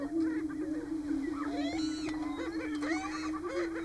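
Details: Displaying male greater prairie-chickens at a March lek in Nebraska. A steady low droning hum continues beneath repeated sharp upswept cackles and whoops, which grow denser after the midpoint.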